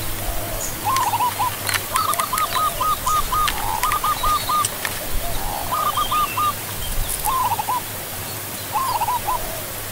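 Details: Zebra dove, also called barred ground dove or perkutut, giving bursts of rapid staccato cooing notes in clusters of four to seven, repeated every second or two, over a steady low hum with faint chirps from other birds.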